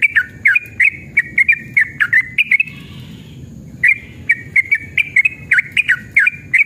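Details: Yellow-vented bulbul, described as male, singing emotionally in 'ropel' style to stimulate caged bulbuls: rapid runs of bright, bubbling whistled notes, a short pause with a faint hiss, then more fast chirpy phrases over soft low noise.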